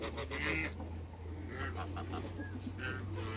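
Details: Three African geese meeting new geese on a waterbird farm. One harsh nasal honk stands out early, then softer honks follow over a steady low hum, with other fowl faintly in the background.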